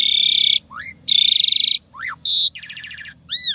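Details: Asian pied starling pours out a song of mixed mimicry: long harsh rasping screeches, falling and rising whistled sweeps, a buzzy trill, and an arched whistle.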